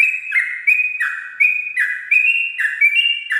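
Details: At dawn, a sooty-headed bulbul delivers ropel-style song, loud clear whistled phrases of a sustained high note falling to a lower slurred one, repeated roughly every 0.7 seconds.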